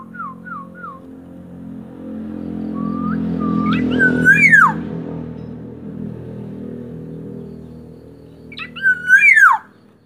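Black-naped oriole giving loud, fluty whistled phrases with rising and falling slurs in short bursts, over a low indoor hum and murmured voices.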